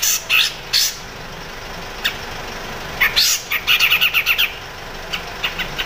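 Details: Master song for training other songbirds: a grey-cheeked bulbul in crecet style. Two harsh squeaky notes open, then scattered chips lead into a brisk rattling trill of eight or so pulses, followed by soft clicks.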